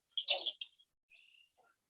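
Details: Red-winged blackbird singing a harsh, gurgling opening and short buzzy trill, recorded from a canoe among cattails in a wetland area of a Michigan lake amid calling cricket frogs and green frogs during frog breeding season.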